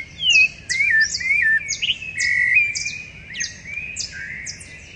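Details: Rufous-bellied thrushes singing together before dawn on 10 September 2012 in a backyard in Curitiba, Paraná, Brazil, recorded with a Sony digital recorder: overlapping fluty, warbled phrases that rise and fall, mixed with thin, high slurred notes.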